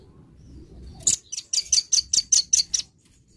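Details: Morning song of a velvet-fronted nuthatch, a quick run of about nine sharp, high-pitched chipping notes evenly spaced over roughly two seconds, after a soft low rumble.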